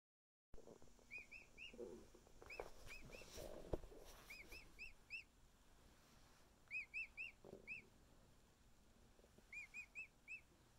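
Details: Male emu chick a little over a week old, cuddling with its keepers: bursts of short, arched whistled peeps, mostly in quick runs of three or four, separated by pauses, with rustling handling noise in the first seconds.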